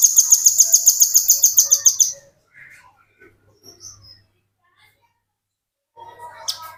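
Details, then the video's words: Tutor recording of a Velvet-fronted nuthatch singing steadily to train other birds: a rapid, very regular trill of piercing high notes for about two seconds, followed by quiet scattered chirps and a brief burst of twittering near the end. "Burung Rambatan Paruh Merah ngebren"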